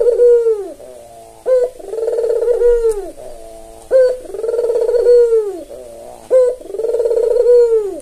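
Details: Tame white albino Barbary dove with red eyes, a keen caller used as a lure and tutor. A steady series of about three calls, each a short sharp upward note leading into a long rolling descending coo, roughly every 2.4 seconds.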